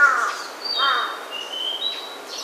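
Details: Wild birds in native forest on Ujina Island, Hiroshima, Japan: a harsh cawing crow-like call opens, followed by a second rough call and thin, high whistled notes drawn out across the rest.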